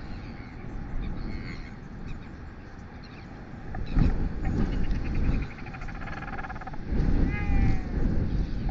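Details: Male royal albatross arriving back at his nest on South Plateau at 8:05 pm on 17 October 2020, where his mate had returned on 11 October, gives buzzy, pulsed braying calls ending in a falling whinny, half-buried under roaring wind.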